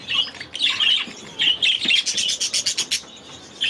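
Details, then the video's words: Aviary budgerigars give bursts of bright, scratchy chirping, then a fast run of about seven short clipped notes, with a final chirp after a brief pause. "6 Hours of Budgies in their Aviary"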